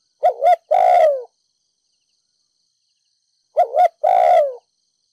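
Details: Spotted dove ('mồi đất', Ninh Thuận) giving urging 'thúc gù' coos meant to rouse decoys; two phrases a few seconds apart, each a bouncy double note then a long, low falling coo, with no background noise.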